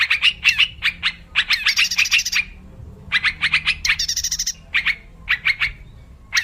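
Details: Wild yellow-vented bulbul as a trapping lure, giving clustered bursts of sharp chirps with squawky, buzzy notes mixed in, separated by clear pauses of about a second.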